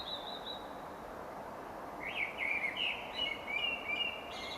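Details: Common Blackbird song recorded around gardens and parks of Monkstown Village, Dublin, in spring nesting season: a faint high note, a gap, then mellow fluty warbled phrases sliding around a mid-high pitch, with steady background hiss.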